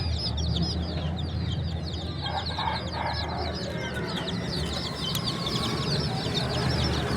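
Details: A group of chicks peeping nonstop, with shrill, short descending chirps crowding over one another, while a constant low droning hum runs underneath.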